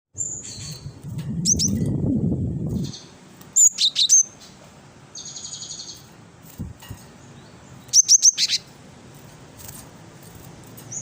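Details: Great tit, locally called gelatik batu wingko, in a lure recording for attracting birds. Short bursts of high, sharp two-pitched notes come in brief phrases separated by pauses. A low rumbling noise is heard early on.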